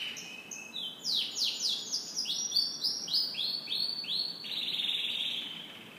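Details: Canary singing in the morning: a loud, fast run of high trilled phrases, descending swoops repeated rapidly, then a steadier sustained rolling trill near the end.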